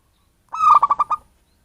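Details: Local wild-origin zebra dove, used as a lure for catching birds, giving a soft cooing phrase: a steady tone followed by four quick pulsed notes, all at one mellow pitch.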